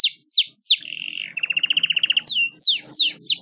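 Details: Local canary in a 38-second song: sharp descending whistles, then a fast even trill of about a dozen notes, then more quick downslurred whistles.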